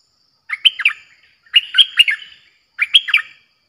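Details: Fierce-sounding Streak-eared bulbul song used as a lure for wild birds: three separate short phrases of rapid, slurred chirping notes, each under a second long, spaced by brief pauses.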